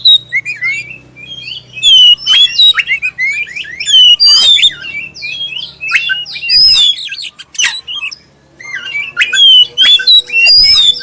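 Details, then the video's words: Long, clear lure song from a black-breasted oriental magpie-robin, intended to get other magpie-robins singing: fast, varied whistled phrases with sweeps, trills and harsh chirps, a short lull near eight seconds, then more whistling. "suara pancingan kacer dada hitam suara jernih"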